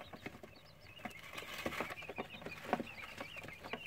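Quail chicks peep together: many thin, high, short cheeps overlapping in a busy stream, with light scratching and rustling underneath.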